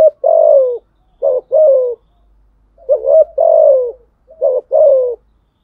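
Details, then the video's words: Rival-challenging coos of a spotted dove: deep, mellow two-part phrases, a quick upswept note then a drawn-out descending coo, repeated four times in quick succession in otherwise quiet surroundings. "Thúc gù chim cu gáy bài bản nhất hiện nay. gù thúc bài bản, kích bổi rất riêng gáy, cu đất gù đấu"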